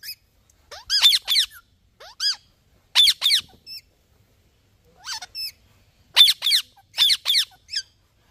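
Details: Green ringneck parrot giving clusters of shrill, grating squawks in twos and threes. Short gaps separate the bursts, and brief squeaky whistled notes come in between.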